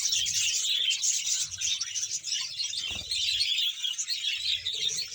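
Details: Budgerigars in a breeding colony of about 100 pairs in Bahawalpur: a dense, continuous mass of high twittering and warbling chirps from many birds at once, with faint low rumbles underneath.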